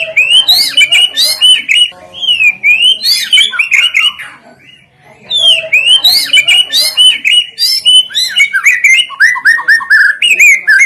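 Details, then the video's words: White-rumped shama song used as a lure to make other birds sing: loud, rich, varied phrases of whistles, warbles and sharp notes, repeated in two long bursts split by a short pause. "sekali dengar murai,trotoll,pastol ikutan bunyi,cocok untuk pancingan murai batu yg kurang efektif"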